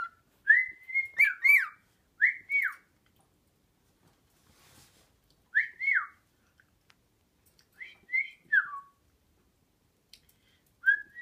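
Cockatiel whistling clear, rising-then-falling notes in short bursts of two or three, with pauses of a second or more between phrases and a few soft clicks.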